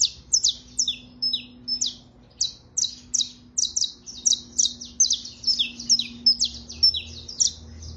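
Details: Saffron finch (Sicalis flaveola) trilling: quick bursts of sharp, high chirps and short down-slurred notes, repeated in lively clusters about every half second, with a faint steady low hum underneath.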